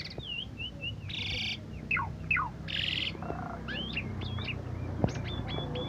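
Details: Contest-champion Asian pied starling delivers wavering whistles broken by two loud buzzy rasps, then downward-slurred notes and a string of short hooked whistles near the end, with a low background hum.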